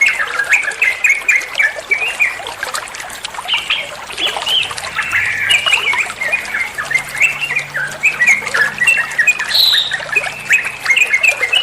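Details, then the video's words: Trucuan, a bulbul, sings a master song for training songbirds: a long busy run of choppy chirps and squawky notes, some brief upward whistles, with running water in the background. "Masteran trucuan muantaaap, (burung trucuan anda pasti nyaut)"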